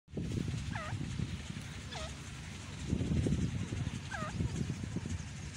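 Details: Grey francolin (big Indian teetar) giving three short ringing looped notes, each dropping from about mid-high to lower pitch, spaced roughly a second apart, over a steady low rumble with thumping bursts.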